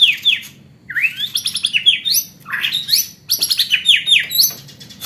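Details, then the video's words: White-rumped shama singing a song filled with mimicked hanging parrot (srindit) notes in a fighting style: bursts of sharp, high, down-slurred whistles and bright chattering phrases, several quick notes per second, with a faint low hum behind. "MURAI BATU ISIAN BURUNG SRINDIT"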